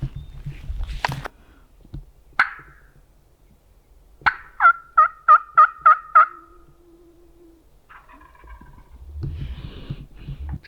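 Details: A wild turkey longbeard gobbler, one of two with hens in a Mississippi cattle pasture on an afternoon in late March, gobbles in a rapid rattling burst of about six loud, gurgling notes, with rustling and fainter sounds around it.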